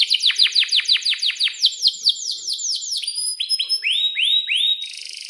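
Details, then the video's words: Canary song used as a tutor for young canaries learning to sing: rapid series of downward-sweeping whistled notes, then higher rolling trills and a few rising upslurred phrases, bright and continuous. "kenari gacor panjang buat pancingan kenari paud belajar bunyi agar NYAUT"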